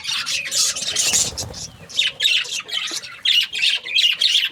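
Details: Parakeets giving raspy squawking chatter, a loud burst at the start followed by separate short chirpy phrases with brief gaps between.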